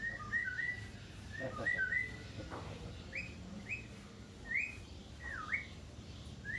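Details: Javan myna singing persistently, giving a run of short, clear whistles, several sliding sharply upward and one dipping then rising, spaced irregularly across six seconds over a faint low background rumble.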